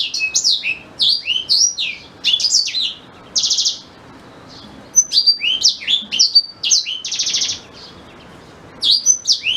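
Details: Teaching song of a black-throated canary for white-rumped shama: repeated phrases of quick high chirps and slurs, each including a dry buzzy rattle, with brief pauses between.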